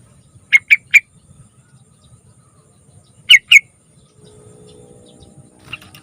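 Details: Yellow-vented bulbul singing long and lively, used to coax young bulbuls into song: three bubbly notes, a pause of two seconds, then two more, with low background hum and a faint note near the end.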